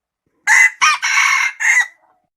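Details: One red junglefowl crow, loud and close, in four rasping parts: a short opening note, a brief second note, a longer sustained middle section and a trailing, falling end. No other sounds are heard.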